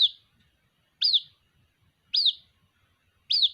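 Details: White-breasted waterhen chick calling for its mother: short high chirps that drop in pitch, evenly spaced about one second apart, four in total, over a quiet background.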